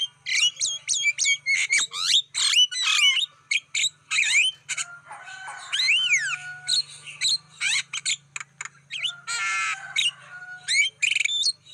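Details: Black-winged starling lure recording to attract wild birds: a long, dense medley of rapid chirps, squawks, sweeping rising whistles and harsh buzzy passages, with a low hum underneath.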